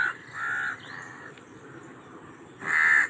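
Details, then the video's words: Raven making a few long, hoarse caws, a soft one early and a louder harsh call at the end, with quiet between. "SONIDOS de CUERVOS 🗯 12 Voces diferentes"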